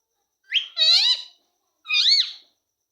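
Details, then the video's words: Talking ringneck parrot said to say "mummy papa": two nasal, speech-like utterances, a clipped syllable running into a longer rasping word, then a shorter rising-falling word after a brief pause, in a quiet room. "mummy papa bolane wala tota 🦜👍 ringneck parrot"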